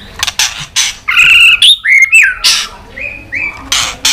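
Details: Fighting song from a white-rumped shama: loud scratchy bursts interleaved with whistled upslurs and chirps, delivered in a rapid, uneven sequence.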